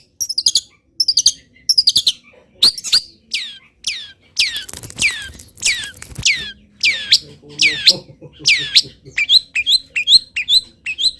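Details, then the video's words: Long-tailed shrike, a local bird still singing hard through its moult, delivers wild-bird imitations: short high chips, then loud downward-swooping whistles in a row, ending in fast twittering couplets over a low background hum. "CENDET GACOR FULL ISIAM BURUNG LIAR"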